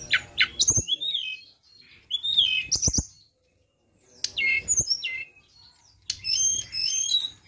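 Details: High flowerpecker chirps for luring, delivered in three separate phrases of quick, thin downslurred notes and ticks, the last phrase a rapid string of repeated very high pips, with short silences between.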